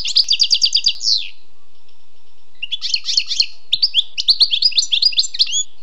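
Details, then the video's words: Wild European goldfinch singing: a quick series of bright repeated notes ending in a downslur, a short pause, then jumbled twittering and tinkling chirps. "Écoutez et appréciez le doux chant du chardonneret sauvage"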